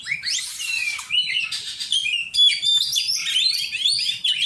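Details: Kacer in song practice, an Oriental magpie-robin giving a steady flow of high whistled notes, sweeping slurs and buzzy fragments with almost no pause throughout.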